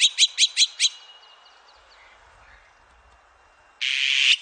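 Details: Azure-winged magpie producing four loud, sharp chattering notes, then a long quiet stretch, ending in a strong, harsh rasping screech.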